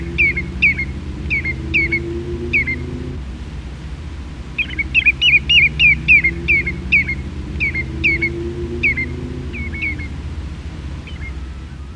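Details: Common redshank flight call on the Isle of Man: ringing, high whistled 'tew' notes in quick runs, several a second, in two bursts, over a steady low rumble.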